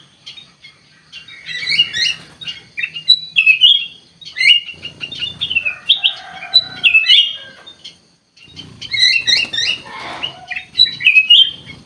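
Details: Ruby-throated bulbul singing lively and without pause: rich, varied warbling phrases of bright whistles and chattering notes, delivered in long runs with a short break midway, close and loud.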